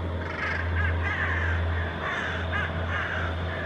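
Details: Hooded Crows mobbing a Northern Goshawk in the air in Helsinki, Finland, September: rapid rough caws, about four a second, overlapping from a few birds, over constant low city drone.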